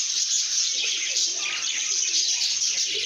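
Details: Happy lovebirds singing and chirping together; sharp, high twittering notes overlap into a constant busy chorus, with a short rising whistle standing out midway.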